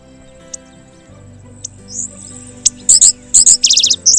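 Indigo Bunting: sharp, high, dry chips, a few spaced single notes and then a quick run of repeated chips, over a faint low hum.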